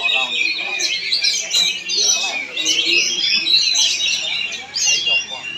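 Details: Kacer (Oriental magpie-robin) in Palangkaraya, Central Kalimantan, delivering a lively high-pitched song of fast chirps, slurred whistles and buzzy trills in bursts, amid a chorus of other birds and low murmuring voices.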